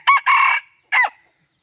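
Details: Decoy rooster crowing in short harsh bursts: two loud, strained harmonic notes close together, then a brief clipped third note after a pause, with silence around them.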